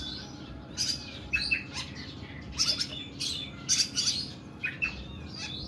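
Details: Oriental magpie-robin, the kuku bima type, singing long, harsh bursts: rasping, buzzy high notes broken by short whistles, loud outbursts roughly every second over a quiet low hum.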